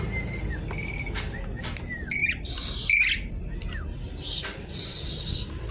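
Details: Javan pied starling in noisy song, apparently challenging a rival: thin drawn whistles and short slurred notes alternate with harsh, hissing, broadband rasps at a moderate pace, with a low rumble underneath.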